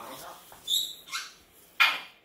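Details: A pet grey parrot gives three short, harsh, high-pitched squawks, the last the loudest, apparently calling out so as not to be forgotten, over faint background murmur.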